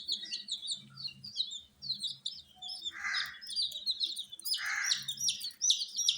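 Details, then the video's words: Chicks call together in a steady stream of high descending peeps, with two louder hoarse bursts and a faint low hum beneath. "Witty MURGI Baby "Chicks Chirping" Sound"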